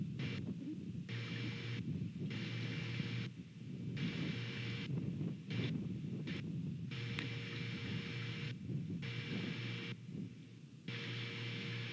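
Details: Steady low rumble and wind-like noise with bursts of electronic hum switching on and off; no animal calls are heard.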